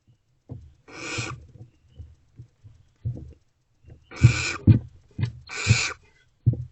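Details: Barn owls at a nest box at night, 28 February 2024, around 2:15 am, during continuing food deliveries; three harsh, broadband hissing screeches, each roughly half a second, with low thumps and bumps in the box between them.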